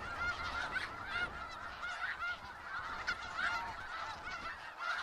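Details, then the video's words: Steady chatter of a snow goose flock in Skagit Valley, many nasal honks layered over each other with occasional nearer, louder calls. "Sounds of Snow Geese"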